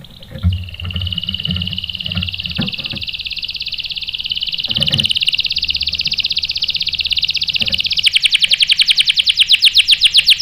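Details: Canary used to prompt males to sing: a long high buzzing rolled trill held for seconds, switching to a louder crisp rapid trill at the end.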